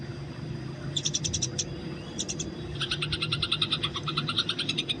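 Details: Eurasian tree sparrows in the wild, a fighting recording used for training: short clusters of chirps, a pause, then a continuous rapid stream of buzzy chirps.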